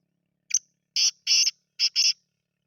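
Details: Babu Sindhi grey francolin kept in captivity, a chakri caller reported at 270 calls per minute, gives a brief clipped note and then four rasping, broadband notes in two pairs against silence.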